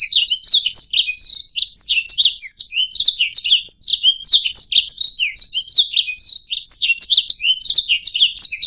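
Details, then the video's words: Canary song used as a tutor recording for training other songbirds: continuous dense chatter of high, twisting chirps and warbled notes, fast and unbroken, with no other sounds. "Ocehan Burung Kenari"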